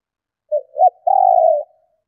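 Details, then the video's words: A female spotted dove coos to rouse males to call: two brief low notes, then a long sustained mellow coo, clean with no other sounds. "Tiếng Chim Cu Gáy Mái Kích Bổi Nhanh Gáy"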